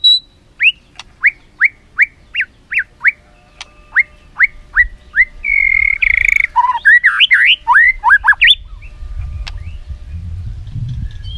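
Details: White-rumped shama in an imitation-rich song used to train other shamas: a steady series of short, high, downslurred whistles about twice a second, then a fast, tumbling medley of varied whistled notes.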